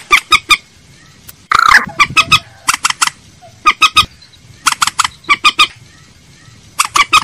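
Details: Common moorhen lure recording: short clipped kek notes in clusters of three or four, with a rougher, grating burst near the start, repeated throughout with brief pauses.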